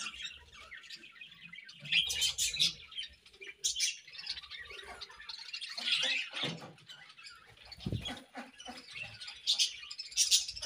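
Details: Budgies chirping in the morning: bursts of high, scratchy twitters and short chirps come in clusters. The clusters are separated by quieter gaps, with a few brief lower notes in between.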